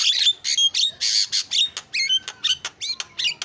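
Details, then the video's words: Starling lure song: a fast run of about a dozen short harsh squawks and buzzy notes mixed with brief clear whistles, delivered in quick irregular bursts. "SUARA JALAK PALING KREN KICAUAN JUARA"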